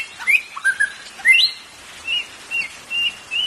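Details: Song of the white-rumped shama, used to stir caged birds into singing; rich whistled notes sliding up and down, then a run of short steady whistles repeated about every half second.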